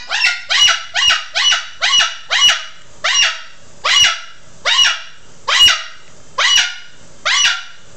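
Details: Loud screams from a rescued, feather-plucked male cockatoo kept as an indoor pet: about a dozen harsh, raspy screeches repeated roughly every half second in a steady series.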